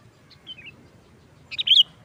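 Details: Sooty-headed bulbul lure for trapping: a few faint thin notes, then a short loud bubbly phrase ending in a bright whistled flourish.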